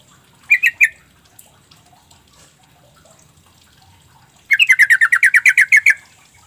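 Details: Lure call of a sooty-headed bulbul, meant to provoke reluctant birds into responding: a brief three-note chatter, a quiet pause, then a longer run of about thirteen quick, sharp notes.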